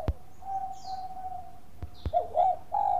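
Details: Bangkok-type zebra dove song played to lure other doves into singing: one long level cooing tone, then quick wavering bubbly notes, with a few sharp clicks and faint chirping of other birds.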